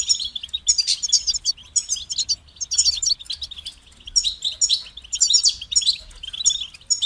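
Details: European goldfinch song used to encourage singing: bright, tinkling chatter and rapid ringing trills in bursts, each phrase starting and stopping, with a soft low rumble behind.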